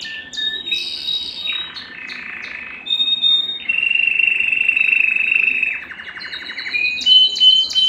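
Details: Canary singing for breeding stimulation: varied segments of steady whistled tones, a lower rolling trill, then quick rattling notes and high whistles, each phrase changing pitch.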